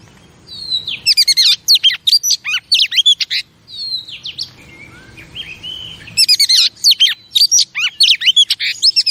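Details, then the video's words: Female oriental magpie-robin, a kept bird, singing to excite male birds: quick bursts of piercing chirps and downslurred whistles, a softer passage of lower warbled notes in the middle, then another rapid burst. "Chòe Than Mái Kích Trống"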